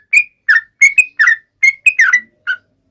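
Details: Yellow-vented bulbul taunting a rival: eight short, clear whistled notes, some slurred downward, spaced a few tenths of a second apart.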